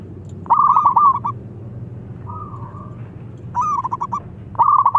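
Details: Zebra dove of a local type singing its rival-inviting song: three loud bursts of fast, bubbling, stuttered coo notes separated by a quiet mid-pitched sustained tone, over low background rumble.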